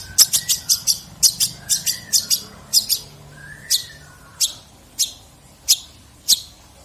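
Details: Long-tailed shrike in full song, a 2022 recording offered as rich tutoring material for other birds. Rapid bursts of sharp, high clicking notes slow to single spaced chips, with faint mid-pitched tones between them.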